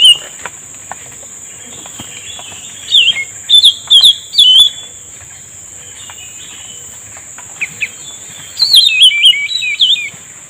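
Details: Ruby-throated Bulbul at a riverside bird-trapping spot at high tide, giving two bursts of bright, bubbly whistled phrases that rise and fall over a steady high insect drone; it was one bulbul caught with a lure bird.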